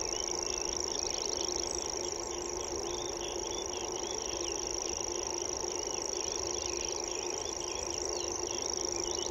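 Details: Common grasshopper warbler, a secretive, seldom-seen bird, delivering its unmusical, high-pitched reeling trill: a steady, insect-like buzz held without a break through the whole stretch, while other birds chirp and twitter underneath.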